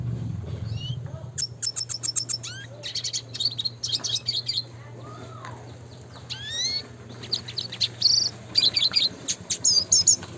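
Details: Red siskin classic song: rapid repeated high notes, rising slurred whistles and buzzy trills, ending in dense sparkling chirps; a low hum and rumble underneath.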